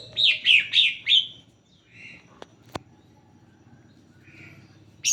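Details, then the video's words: Greater green leafbird lure song to start other leafbirds singing: four rhythmic high downslurred whistles, softer warbled notes, two sharp clicks, ending on a bright high note. "Pancingan cucak hijau agar bunyi"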